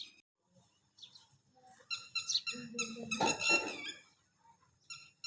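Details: Red-wattled lapwing, one of a male and female pair that guard their chicks until they can fly, giving loud, harsh, harmonic call bursts in the middle of the recording, with faint low rumbling underneath.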